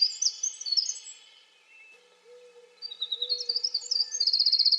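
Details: Winter wren song: rapid high tinkling, warbled notes tumbling in fast bursts, pausing, then resuming with a long cascade ending in a fast even trill; a faint low hum underneath.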